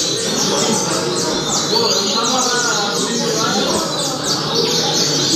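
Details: Double-collared seedeater (coleiro) singing the song style called Altas Horas: quick high whistled notes sweeping downward, strung closely together, over a constant loud hiss.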